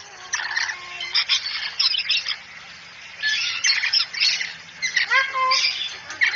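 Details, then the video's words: Talking cockatoo saying "assalamualaikum": rough, noisy squawks and chattering syllables in uneven bursts, with a brief rising harmonic nasal call near the end. "masteran burung kakatua bicara asalamualaikum"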